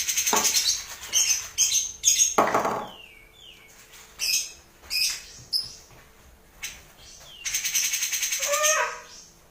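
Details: Grey-cheeked bulbul singing dense, rough bursts: harsh buzzy blasts and scratchy notes mixed with short falling whistles, repeated irregularly with brief gaps, over a faint low hum.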